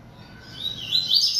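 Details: Captive yellow-bellied seedeater kept and fed by its keeper, singing a lot. A high, rapid warbled phrase rises and swells from halfway through, with quick slurred notes across a high band. The background is quiet.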